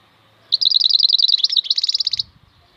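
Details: Rapid, evenly spaced high chirps from a European goldfinch (maknine khalwi), slurring into a dense buzzy trill over under two seconds, with a soft low rumble afterward.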